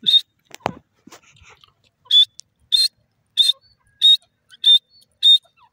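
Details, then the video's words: Grey francolin calling with a steady series of shrill, high ringing notes, each repeated about every 0.6 seconds, after a few sharp clicks and knocks at the start. "titur ki awaz,grey francolin bird wonderfull sound"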